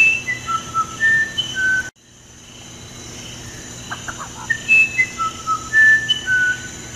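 Musician wren song: a string of pure, flute-like whistles stepping between high and lower pitches, broken by a sudden silence, then repeated with a few soft buzzy notes.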